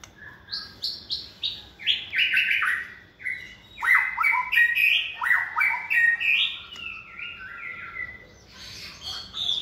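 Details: Competition-trained white-rumped shama in a cage, second season and multi-voiced, pours out a long varied song of stepped whistles, slurs and rapid notes, with sharp clicks heard throughout.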